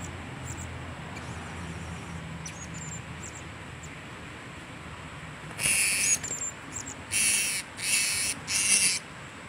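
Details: Blue-crowned hanging parrot, solo, recorded 26 October 2017: a few faint high squeaks, then loud, harsh, high chirp bursts repeated about once a second near the end, over a low hum.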